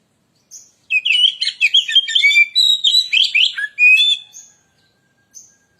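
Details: Lure recording of white-rumped shama (kacer) song: a single note, then a fast, rich burst of mixed whistles and chattering for about three and a half seconds, and a final lone note.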